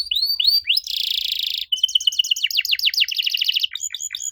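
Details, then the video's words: A canary sings to prompt young canaries to reply: curving whistled chirps, a harsh buzzy roll, a quick rattling trill with falling sweeps, ending in sharp rising notes. "Pancingan Jitu! Kenari Muda pasti nyaut kalo denger suara aneh kenari ini."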